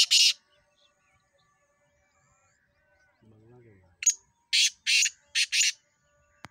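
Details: Black francolin in Sindh, Pakistan: harsh, scratchy, grating notes, one at the start, then a rhythmic run of four to five rasping bursts after four seconds, with a brief low voice-like sound in between and quiet background.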